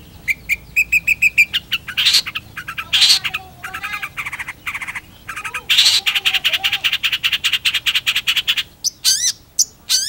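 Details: Energetic Long-tailed Shrike song, a dense chattering stream of harsh buzzy bursts, quick trills and rapid clicking notes, with brief dips between loud rasping phrases.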